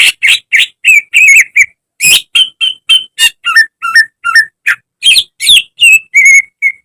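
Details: Caged greater green leafbird (cucak ijo) singing a training song in a busy, chattering style: a fast, unbroken run of rich notes mixing harsh, noisy chips with clear, zigzagging whistled phrases, ending on level whistled tones.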